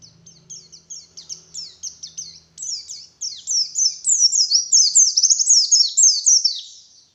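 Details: Morning lure song of a white-eye aimed at wild forest birds: high twittering starts soft with a faint low hum beneath, then swells into a loud, dense, rapid cascade of falling chirps.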